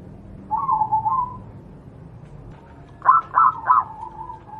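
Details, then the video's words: Wild local zebra dove, Javanese perkutut, recorded as a master song for training caged doves: a soft trilling coo near the start, then after a pause three quick stressed notes and a drawn-out ending coo, with faint low background hum. "burung Perkutut lokal alam, suara untuk masteran perkutut anda"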